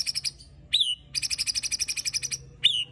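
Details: White-rumped shama song with rough fill, sharp shots and rattles: a stuttering burst of buzzy notes, a downslurred whistle, then a long fast rattle of about fifteen notes and a closing downslurred whistle.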